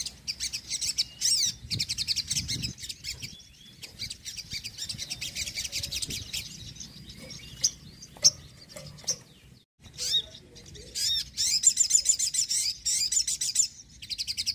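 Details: Dense, continuous high-pitched chattering and chirping of a sogon, used as a lure and to stimulate quiet birds to sing, with a brief lull midway before the busy song resumes.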